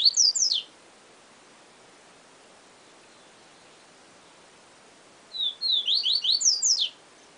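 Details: Yellow-bellied seedeater song in the style named Siu Siu Professor: a clipped phrase end at the start, then after a quiet gap a full high phrase of quick down-slurred, buzzy notes, about eight in a rapid run.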